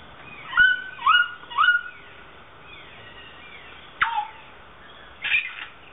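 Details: A South Island kaka, one of a breeding pair in a public aviary at Dunedin Botanic Gardens, New Zealand, swinging on a chain, gives three quick rising-then-falling whistled calls, then two harsher downward-swept notes after a pause.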